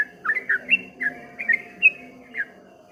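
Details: Ropel ngombak banyu song of a streak-eared bulbul, short whistled notes that swoop up and down in a loose run of about eight calls, against a soft steady hum.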